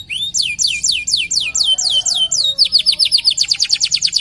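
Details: A local canary sings steadily: loud sweeping notes falling in pitch, about four per second, then speeding into a rapid rattling trill near the end.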